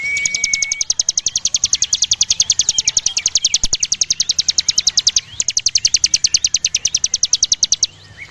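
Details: Javan prinia (ciblek gunung) in full song, a long 'ngebren' delivery moving high and low: a fast run of sharp, high-pitched ticking notes about four per second for nearly eight seconds, briefly broken, after an opening thin whistle.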